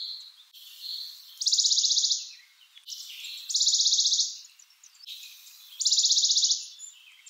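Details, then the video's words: A Western Bonelli's warbler repeats a brisk, flat trill of rapid high notes three times at roughly two-second intervals, against steady background noise with faint other high chirps. "Western Bonelli's Warbler Bird Sound, Bird Calling"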